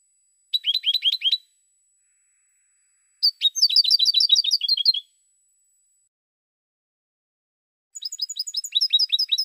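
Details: European goldfinch cante, 2016: three phrases of rapid, bright twittering chirps, a short opener, a longer flowing run of almost two seconds, and a final phrase that continues to the end.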